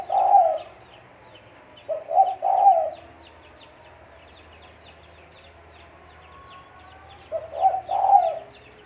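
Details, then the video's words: Spotted dove coo used as a trapping lure: low soft phrases of short notes ending in a longer coo, with a long quiet gap between the second and third phrase, distant chirping birds audible. "Suara Burung Tekukur-Suara Tekukur Buat Pancingan Mikat"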